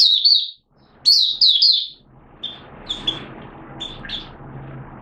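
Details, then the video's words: Malaysian white-eye, a hobby bird, recorded in Singapore on 29 March 2023 in warm, humid weather with sudden showers. Two bright, high twittering phrases are followed by thin, scattered chips over a low background rumble. "Malaysian Mata Puteh Buka Sing"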